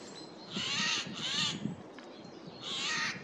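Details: A Eurasian jay (Garrulus glandarius) in a forest, on 15 April 2024, gives three harsh, rasping half-second screeches, two close together then one after a short pause, as it moves between trees, over a faint low rumble.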